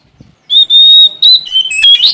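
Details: Sumatran Oriental magpie-robin singing vigorously to challenge a rival: a long, pure, steady whistle, a brief pause, then a quick run of shifting whistled notes ending in a rising, buzzy flourish.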